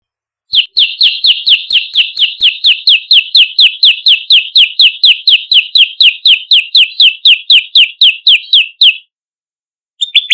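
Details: Olive-backed tailorbird lure recording meant to attract birds: a rapid, even series of sharp high chirps, about two per second, runs for about eight seconds, then stops, with a brief restart at the end.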